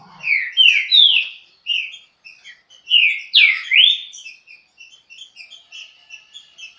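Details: Fast-paced Chucrinho song of a green-winged saltator: rich downslurred whistles in two bursts, each a cluster of three loud notes, trailing into softer rapid twittering.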